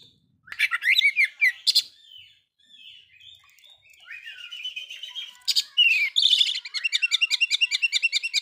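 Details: Oriental magpie-robin singing against a rival to provoke it: bursts of harsh chattering notes, then a pause, softer warbled phrases, and a fast run of repeated high buzzy trills near the end.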